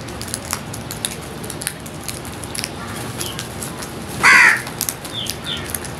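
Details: Crows while feeding: one short, rough caw stands out midway through, with light ticking and faint chirps around it.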